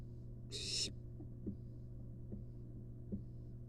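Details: Wild barn owl nestling in a nest box begs for a long-tailed rat from its mother: a single short harsh hiss, then soft scattered clicks and shuffles over low hum.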